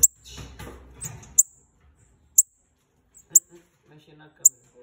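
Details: A calling pair of bananaquits: high, sharp chips roughly one second apart, following a burst of speech at the start, with faint voices continuing underneath.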